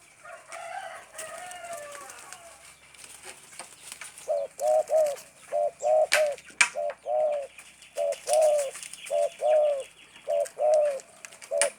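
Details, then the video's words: Spotted dove giving a 'gagap' stuttering-style call: after faint chirps and rustling, a run of short, low, hoarse coos starting midway, delivered in uneven clusters of two or three notes, with light clicks and knocks in the background. "Suara burung tekukur gagap gacor"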